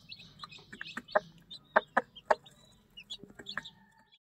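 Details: Hen with her one-day-old chicks at feeding time: sharp, short clucks in quick succession, several loud single notes, mixed with high piping peeps from the chicks over low background hum.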